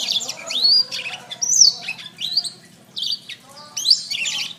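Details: Canary training song: clear rising whistled slurs and high chirps in separate phrases roughly every second, over a steady low hum.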